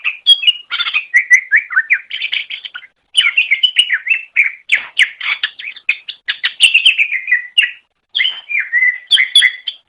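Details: Nearly continuous greater green leafbird song for masteran training of pet songbirds: a rich, fast stream of varied whistles, chirps and buzzy notes, with only two brief pauses.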